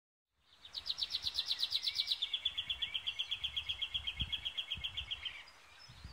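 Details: A White-winged triller, identification uncertain, gives a long, rapid, ringing trill for about five seconds, starting higher and brighter, then settling into a steady, slightly falling rattle, with faint background noise. Finding: White-winged triller.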